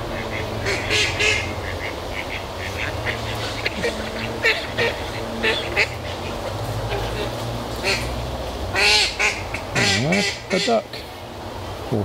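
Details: Ducks on a duckweed-covered moat at Barrs Court, one noisy bird among one or two, recorded with a shotgun microphone; scattered nasal quacks come in irregular runs, with a man's voice talking over them and a low background hum.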